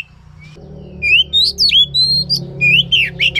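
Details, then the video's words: Oriental magpie-robin singing as a lure to get a silent bird to sing: after a quiet start, a string of bright rising whistles, held notes and swooping slurs over a steady low hum. "Pancingan Ampuh untuk Kacer yang Macet Bunyi"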